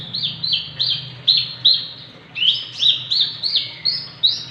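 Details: Javan bush lark, six months old, singing vigorously; a bird suited for tutoring or for triggering song in others. Bright, sharply attacked chirps fall in pitch, repeated about three times a second in two runs, with a low background hum.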